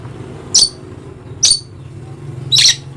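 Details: Dusky lory, a bird endemic to the island of Papua in eastern Indonesia, gives three short, shrill screeches spaced about a second apart over a low steady hum.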